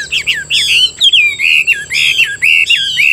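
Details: A caged Chinese hwamei pours out a loud, rich song of slurred, rolling whistles, quick phrases tumbling one after another with barely a pause.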